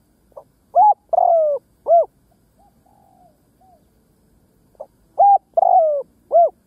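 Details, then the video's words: Decoy spotted dove calling to draw in wild doves: two full phrases, each a quick pip followed by three mellow coos, the middle one long and falling, with faint softer cooing between. "Tiếng chim cu mồi đất gáy kích bổi nhanh nổi"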